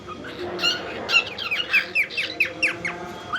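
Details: A young pet cockatiel, possibly female (owner unsure), tries to sing but is too young to manage proper tunes; she acts playful and mischievous on camera, giving a run of bright, slurred, rapidly repeated rising-and-falling chirps.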